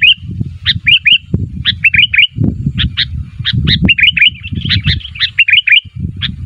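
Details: Sooty-headed bulbul calling for other bulbuls to answer, uttering clusters of two or three quick, liquid downslurred notes, repeated in irregular bursts, over intermittent low rumbling noise.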